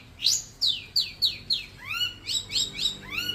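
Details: Young Long-tailed Shrike, a hobbyist's bird in training to become a frequent singer. It gives clear whistled sweeps, first falling and then rising, repeated about three to four times a second in a quiet setting.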